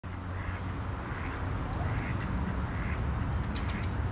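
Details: Mallards recorded on 5 December 2020: hoarse, nasal quacks repeat roughly every half second, partly buried in heavy low rumbling background noise.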